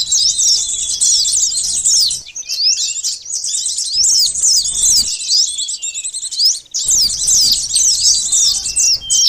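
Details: High, busy twittering of a sunbird used as a lure to catch birds, delivered in long tangled bursts of squeaky sweeping notes with two brief pauses.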